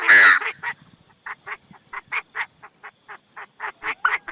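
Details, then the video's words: Chinese francolin kept as a lure bird in 2023. A loud harsh screech opens the recording, followed by an even run of short, throaty, clucking notes repeated several times a second. "Tiếng đa đa mồi cực tác - suab noog qeb qag qag quaj cuab tuaj zoo heev nawb"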